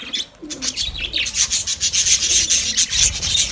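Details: Chirping budgerigar colony: fast scratchy pulses, nearly four a second, laced with high piping whistles, after a softer start with a low sliding note.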